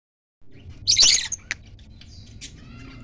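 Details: Two pairs of pet lovebirds calling to each other: one loud, harsh, shrill screech bursts out near the start, followed by a few faint, scattered high chirps over a quiet indoor background.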